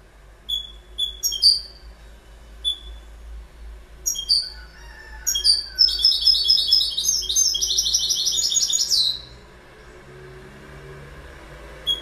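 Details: Goldfinch song: scattered sharp whistled notes build into a long, lively stretch of rapid, liquid twittering. It closes with a rising flourish, then quiet with faint low background hum.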